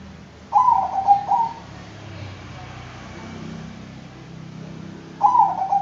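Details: Singing Bangkok-type zebra dove: a bubbly, stuttering coo phrase ending in a sustained note, then quiet low hum, and a second phrase beginning at the end.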